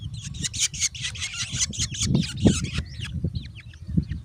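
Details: Black Drongo nestlings begging for food: a dense run of scratchy, rasping calls that stutter rapidly for nearly three seconds, then a few thinner, down-slurred notes, with low thumping background noise.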